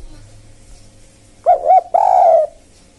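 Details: Spotted dove calling, used for luring wild birds: two short arched coos followed by a longer, drawn-out rolling coo, low and mellow, then quiet.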